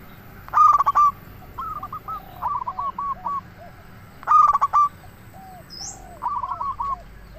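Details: Zebra dove of a local strain, sung as a lure for wild doves: two loud, fast rolling coo phrases with quieter answering coos from other doves between them and a faint high chirp near the end.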